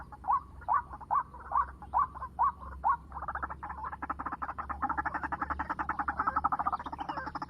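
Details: White-breasted waterhen calling at 7 in the morning, used as a lure for trapping: a series of short rising notes about every half second, then a dense rapid chattering chorus with a steady low hum underneath.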